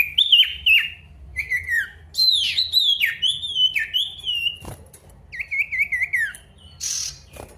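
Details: Male pied bush chat singing actively to call a rival: loud slurred whistles dropping from high to mid pitch, quick rising-falling phrases, a steady thin whistle, and a harsh buzzy burst near the end.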